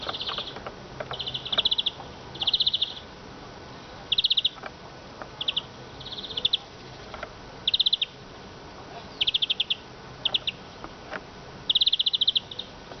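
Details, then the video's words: Eurasian siskin uttering brief high chattering trills every second or so, short rattled phrases separated by pauses, with faint knocks in the background. "iskete kusu sesi"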